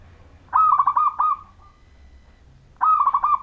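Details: Local zebra dove of the Majapahit song style, singing prolifically, used to lure other zebra doves into singing: two clear rolling cooing phrases, each a fast run of about six mellow warbled notes with a soft fading tail.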